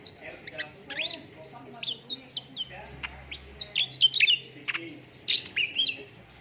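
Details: Contest-bird training lure of cucak ranting song: busy mix of bright chirps, falling whistles and quick chattered notes across the whole stretch, louder and denser in the second half, with soft lower warbles underneath.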